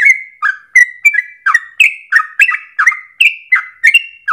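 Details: Sooty-headed Bulbul singing actively in a long, rapid run of song, used as a lure for training songbirds: short bubbly whistled notes, each starting sharply and dropping, about one every third of a second, without pause.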